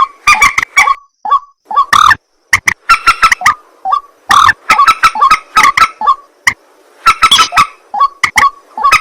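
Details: Harsh croaking 'ruak ruak' of a white-breasted waterhen at night, given in irregular loud clusters with short bent grunts and brief silent gaps between volleys.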